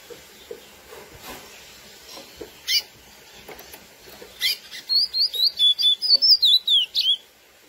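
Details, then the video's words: Lesser seed finch (curió, Sporophila angolensis) giving its classic song, used to excite females: after a few scattered chips, a rapid run of about a dozen clear, swooping whistled notes lasting over two seconds, with a quiet room background. "CURIÓ CANTO CLASSÍCO FOGUEAR FÊMEAS"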